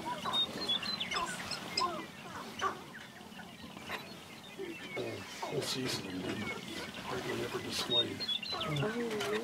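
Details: Sharp-tailed grouse dancing on display in a meadow near Burwell, Nebraska: a busy jumble of clucks, low warbling coos and sharp broadband clicks and pops, irregular and overlapping, with faint high whistles from other birds in the background.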